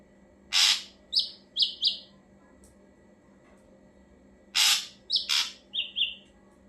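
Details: Ashy drongo sound used as a lure for other birds. Two phrases, each a harsh broadband burst followed by three short clear whistled notes, separated by a pause of about three seconds.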